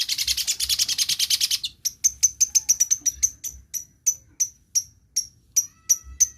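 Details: A long-tailed shrike imitating other birds gives a dense buzzy trill, then a series of high, sharp ticks that slow steadily and spread apart.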